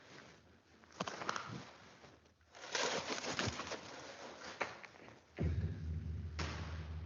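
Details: A trained peregrine falcon flown past very sensitive microphones in a flight-sound demonstration makes a soft, airy whoosh that swells and fades over about two seconds, followed by room noise and hum.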